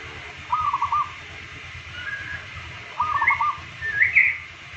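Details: Local zebra dove in daily song, one of two birds compared. Two rolling phrases of several quick mid-pitched coos about two and a half seconds apart, with higher rising whistled notes between and after them, over a low hum.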